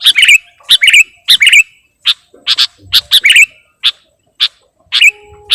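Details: Kutilang, the sooty-headed bulbul, singing lively in a lure recording said to be full of isian. Quick runs of liquid, gurgling phrases are broken up by single dry chips, with a brief faint rustle.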